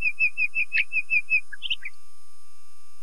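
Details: Nightingale song with a fast series of clear, evenly spaced piping whistles followed by a few sharp, higher chirps and a short downward note.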